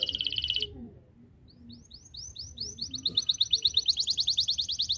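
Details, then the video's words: Canary singing to call rivals to sing along: a short buzzy trill, a pause, then rising whistled notes building into a fast, loud repeated trill. "KENARI GACOR Suara Cuitan memanggil lawan ikut Gacor"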